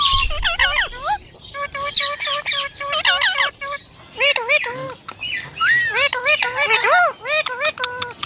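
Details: Indian ringneck parrot talking and mimicking a human voice: a run of nasal, squawky, speech-like phrases of rising and falling harmonic tones, given in quick bursts with short pauses, loud and close throughout.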